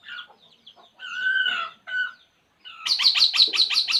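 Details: Puling bird at ease gives softer, drawn-out mid-pitched notes, pauses, then bursts into a rapid, regular string of loud, high chirps, about three per second.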